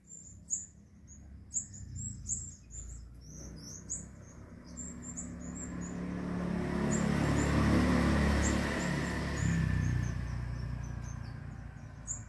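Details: In the afternoon, a pair of sunbirds nesting among balcony orchids give thin, very high chirps in quick, steady series as they call their just-fledged baby back to the nest at roosting time. The chirps fade as a low wind or traffic rumble rises.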